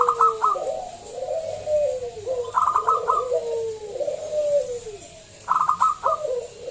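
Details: Local zebra dove with a loud voice, used as a lure to prompt other doves to sing: bursts of quick staccato notes, then drawn-out descending coos, repeating about every two and a half seconds.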